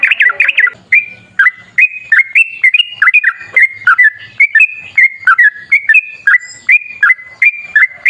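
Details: Yellow-vented bulbul singing energetically, a lure recording for prompting bulbuls to answer: a string of clear, whistled, bouncing phrases that dip and rise, repeated many times with short gaps in a quiet setting.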